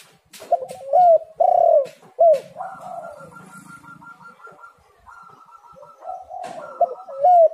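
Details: Tekukur (spotted dove) lure: loud arching coos with taps at the start, a steady higher whistle-like tone in the middle, then more hooked coos at the end.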